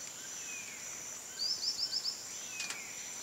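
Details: White-lored tyrannulet giving one rapid burst of five high, sharp, upslurred notes against a steady shrill insect hum, plus faint falling whistles from other birds and a brief click.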